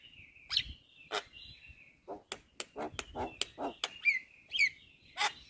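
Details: Javan myna, known locally as jalak kebo, singing a masteran meant to teach other songbirds: sharp clicking notes about twice a second, scattered thin whistles and a couple of high bright slurred calls over a quiet background.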